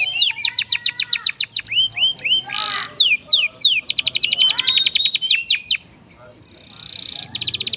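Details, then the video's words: Caged canary singing a long rolling lure song meant to prompt silent canaries to sing: rapid trilled rolls of repeated notes, sweeping downward whistles, then a dense fast buzzy trill, a brief pause, and another rolling burst. "Pancingan Kenari Gacor Ngeroll panjang!! Buat Kenari Macet Bunyi pun Langsung Respon"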